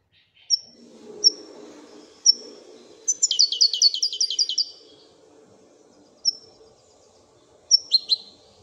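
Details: Moroccan goldfinch in the Wedania song style gives a few isolated sharp high chips, then a rapid burst of ringing repeated notes, then more spaced chips over a faint low background hum.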